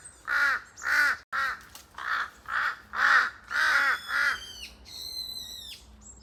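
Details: Noisy forest calling from a pair of large-billed crows: seven coarse, evenly spaced caws with echo, followed by a higher, clear, sustained call from a different bird near the end.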